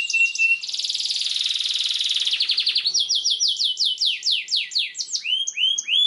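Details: Lively canary singing at length as a tutor for young canaries: chattering notes lead into a long rolling buzzy trill, followed by a series of loud descending sweeps and rising whistled phrases.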